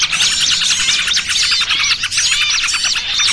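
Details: Busy lure mix used to attract small birds for trapping, trucukan combined with 'burcil kejepit': high arched chirps repeated in quick series over a constant background of twittering.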